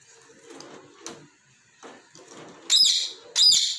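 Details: Pet parrot at play with balls, scolding them for rolling away; soft rustling and thumps first, then two loud harsh high chirps near the end.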